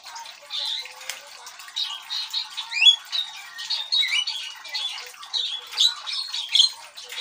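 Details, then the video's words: Javan myna singing persistently, for use as a lure to attract birds: a steady stream of harsh, scratchy squawks mixed with short rising whistles and chattering notes, high-pitched and continuous, with no other clear sounds. "Burung Jalak Kebo Gacor Untuk Pemikat"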